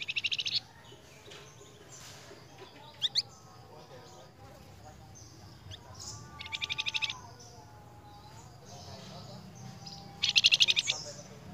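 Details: A Flamboyan bird singing energetically as a lure recording gives short bursts of high, rapid, buzzy trills every few seconds, with a lower drawn-out whistle between them and faint background murmur.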